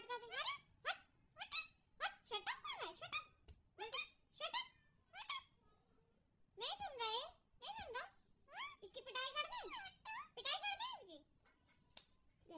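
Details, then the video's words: Pet parrot talking in a small room: a rapid series of high, squeaky, speech-like bursts with wavering pitch, clustered into phrases and broken by short silences. "talking parrot!"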